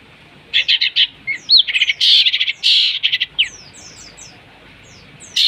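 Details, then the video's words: Long-tailed shrike singing a lure song with mimicked fighting-sparrow and lovebird material: bursts of harsh, rapid chattering notes broken by short sharp downslurred chirps and brief pauses. "Cendet materi greja tarung & love bird || PANCINGAN CENDET"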